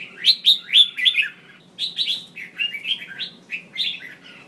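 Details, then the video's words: Red-whiskered bulbul female calls used to excite males to sing: a fast run of bright chirps, a pause, then a longer string of warbled, sliding notes over a low hum. "Tiếng chào mào mái mới nhất kích trống cực nhạy/kích bổi căng lửa hót sung/kích là hót ngay"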